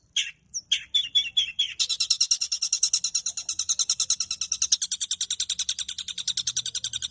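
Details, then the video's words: Caged long-tailed shrike in full chattering song packed with fillers: a few separate sharp high notes, then a fast, steady run of harsh buzzy pulses, several per second, carrying on for over five seconds. "Burung cendet gacor full isian cocok untuk masteran Dan Terapi cendet Macet bunyi Agar Gacor"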